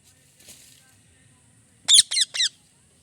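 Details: A pet ringneck parrot, currently molting, gives three quick, shrill, downward-sliding chirps in rapid succession after a faint earlier note. The background is otherwise quiet.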